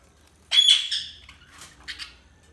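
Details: Budgerigar giving a loud, harsh squawk: a sudden grating screech, then a softer trailing chirp and a short scratchy double note at the end, otherwise quiet.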